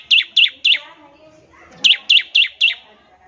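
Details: Bar-winged prinia uttering clear, high, bright chirps in two groups, three then four, each note well separated, with faint low background sounds.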